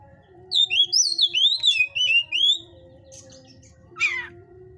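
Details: Hot-type Oriental magpie-robin in a breeder's cage sings about eight clear whistled notes in a wavering descending series, then after a pause gives one harsh scratchy burst; low hum throughout.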